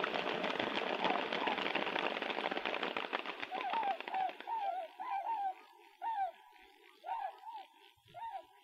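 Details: A flock of tundra swans resting for a few hours on a lake in NW Wisconsin gives mellow, rising-and-falling whooping notes, several birds calling over one another about twice a second, after a stretch of loud rushing noise.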